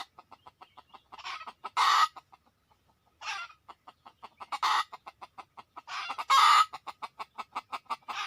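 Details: Wild red junglefowl being lured with a decoy, many arriving within two minutes: rapid, evenly spaced clucking ticks run throughout, broken by three loud, harsh, rasping bursts.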